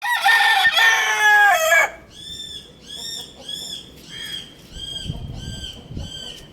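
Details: A rooster gives a loud, harsh crow lasting nearly two seconds, followed by a series of repeated high clucking calls, one roughly every half second.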